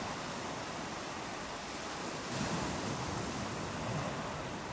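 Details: Continuous roar of breaking ocean waves and wind on a shore, a dense even rush with no gull calls audible.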